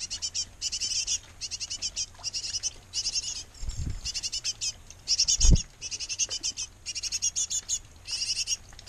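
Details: Great tits feeding their brood in a nest box: repeated bursts of thin, high, rapid chirping, with two dull low thumps partway through, likely knocks at the box.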